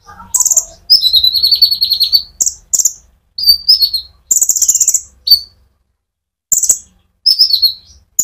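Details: Konin, or brown-throated sunbird, singing its lively 'ngerol' rolling song to stimulate olive-backed sunbirds. Dense buzzy trills and piercing whistled notes come in bursts separated by short silences.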